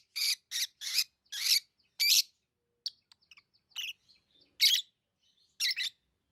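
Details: Tame lovebirds chirping: a quick series of five loud, grating chirps, then quieter clicks and twitters, and two more shrill chirps.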